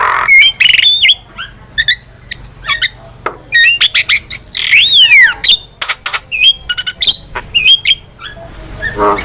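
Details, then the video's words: Javan myna master song for training caged birds, with varied whistles sliding up and down, harsh squawks and sharp clicks, and short pauses between bursts. "MASTERAN JALAK KEBO GACOR"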